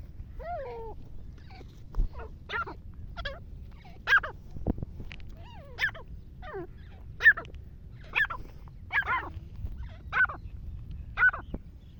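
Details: Wild black francolin calling; a series of short, harsh, slurred notes repeated roughly once a second, each sweeping downward, over quiet background hiss.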